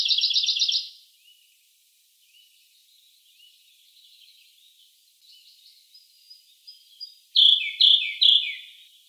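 Siberian blue robin song: a loud opening burst of rapid high trilled notes, soft thin twitters, then three loud ringing phrases about half a second apart.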